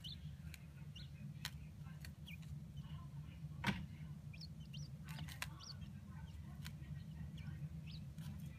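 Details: Two adult male Chinese blue-breasted (king) quail in a sandbox give soft, high, upward-flicking peeps, about a dozen at irregular intervals, content sounds that grow louder and more strident, over scratchy clicks and background TV hum.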